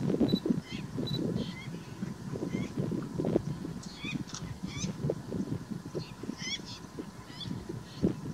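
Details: Lesser flamingo flock, a species of sub-Saharan Africa and India, giving a dense low honking and grunting chatter, with thin rising whistles and high chirps scattered above the steady murmur.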